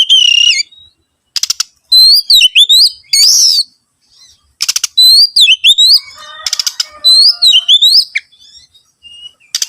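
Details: Song of an Oriental magpie-robin, meant as a lure to set other birds singing: sweet whistled glides and quick twittering runs punctuated by several dry rasping bursts.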